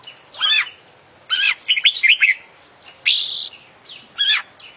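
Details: Oriental magpie-robin (kacer), described as an international champion bird in full, active song with a 'full isian' fill-in repertoire. Loud, varied whistled and buzzy phrases, some rising and falling, come in bursts about every second with short pauses between.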